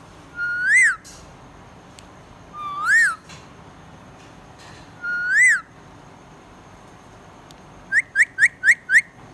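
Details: Singing budgerigar gives three drawn-out whistles a couple of seconds apart, each rising to a peak and dropping, then a fast burst of five short clipped chirps.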